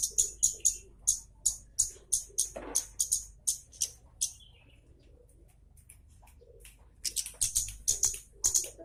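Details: Scarlet-headed flowerpecker, locally kemade or baret merah, in sharp 'nyecret' song used to train captive birds: very high, piercing ticks repeated about three times a second, a pause of several seconds, then a faster run of ticks.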